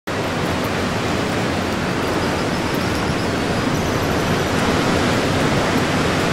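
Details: Steady, dense roar like breaking surf or strong wind, with no distinct calls standing out.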